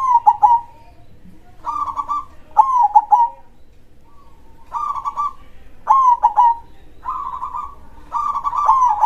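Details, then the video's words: Vigorous local zebra dove (perkutut) in the krosing style, big-voiced, repeating short rolling coo phrases alternating with purring trills, around seven bursts in quick succession. "suara perkutut gacor dor krosing suara besar"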